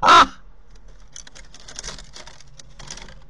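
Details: Common raven at a nest site in Corbera de Llobregat, Barcelona, captured by a nest camera: a single loud, rasping croak at the start, followed by faint clicking and rustling.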